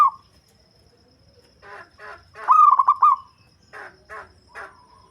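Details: Bass-voiced local zebra dove used to lure birds, giving one rapid purring, stuttered coo mid-clip, surrounded by several short rasping, clicking bursts from other sounds.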